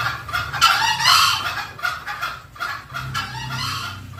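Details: Green junglefowl lure call, played to draw wild green junglefowl in. Rapid pulsed clucking notes repeat about twice a second, broken by louder, harsh, broadband outbursts near the one-second mark.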